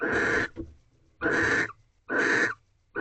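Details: Wild barn owls mating in a nest box at 2:38 am on a March night in 2023, the pair already with one egg. Harsh, hissing screeches of about half a second each, separated by quiet gaps of roughly half a second.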